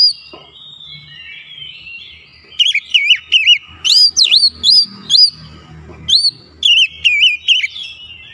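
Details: Provoking lure song of an Oriental magpie-robin: soft rambling warble at first, then loud, clear whistles rising and dipping, repeated in several quick groups with short gaps between them.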